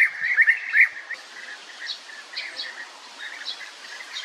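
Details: European bee-eater gives several loud rolling trills at first, then fainter repeated purring notes continue over a hiss of background noise.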